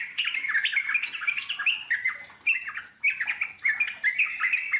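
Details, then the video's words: Wild Yellow-vented Bulbul delivering a long continuous chatter, called ngeropel. Bubbly, slurred notes run together in rapid phrases with short breaks about every second. "puterin suara trucuk alam di jamin lasung nyaut NGEROPEL PANJANG"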